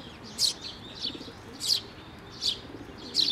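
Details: Fledgling sparrows coming to a shrine's water bridge to be fed, May 11, 2024: loud high-pitched chirps, some doubled, spaced about every second against a quiet background.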